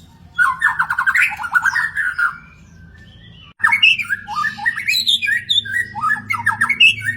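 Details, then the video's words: Magpie-robin in the wild producing dense, fast rattling phrases, then after a short silence a lively mix of varied whistles and chattering notes. "burung murai di alam liar"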